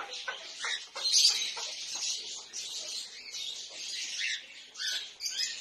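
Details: Cockatiels in a family breeding aviary chatter in a steady stream of high, scratchy chirps and squeaks.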